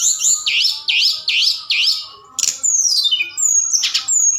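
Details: Night lure song of a forktail, used to provoke other birds to reply and sing. Four repeated looping chirps, a short break, then long thin descending whistles and sharp high notes.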